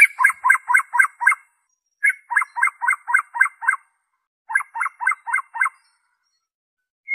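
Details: White-rumped shama singing without any mimicked material, used as a lure for captive and wild birds: three bursts of harsh, clipped notes repeated about four times a second, separated by short silences.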